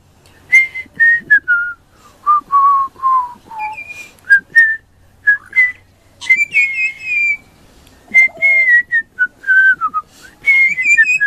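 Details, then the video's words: Juvenile pied butcherbird singing at Christmas, a long run of clear fluted whistles mostly near mid-high pitch, some notes sliding downward, others held steady, phrases separated by brief pauses, with a person's voice heard before. "Baby Pied Butcherbird singing very high pitch"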